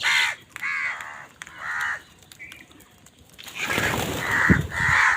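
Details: Harsh caws from crows squabbling over food: three spaced calls, then a noisy stretch of rustling and scuffling with more rasping caws laid over it.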